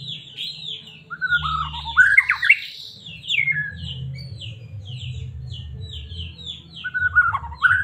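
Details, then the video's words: Medan white-rumped shama, played to get a caged shama singing and aroused: fluty mid-pitched whistles rising into a loud, rich tangle of notes, then a long run of quick high chips, closing with a bright whistle, over a low hum. "Murai batu cocok buat pancingan burung anda"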